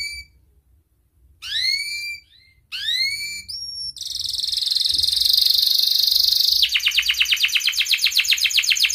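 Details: Canary in breeding condition calling a rival, used to teach young canaries: rising whistled 'cuit' notes, a brief level tone, then a long high buzzy roll that shifts into a slower pulsing trill.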